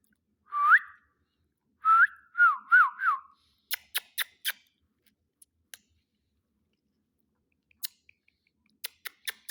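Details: Pet ring-necked parakeet, filmed indoors as a talking parrot, gives a short rising whistle, then a longer whistled phrase of three wavy, warbling notes, followed by sharp scattered clicks and taps.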